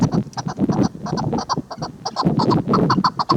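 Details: Female chukar partridge making quick clucking notes in close succession, building into louder, denser bursts toward the end. Steady low-pitched noise runs beneath the calls.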